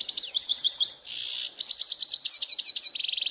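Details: Grey-headed goldfinch singing in a ravine: a fast, busy twitter of high, sharp chirps and slurred notes, with a brief harsh buzzy burst near the middle and a rapid ringing trill at the end.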